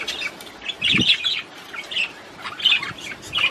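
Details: Budgerigar twittering to stimulate the female to mate, a few short bursts of squeaky chirps and chatter separated by quieter pauses, with one soft thump.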